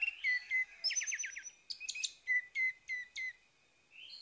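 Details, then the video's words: Orange-headed thrush singing in the morning, used as a lure to get a silent bird singing again: loud, varied whistled phrases with rapid falling trills and clear down-slurred notes repeated about every third of a second, then a pause. "PANCINGAN ANIS MERAH PAGI HARI MENGATASI ANIS MERAH MACET"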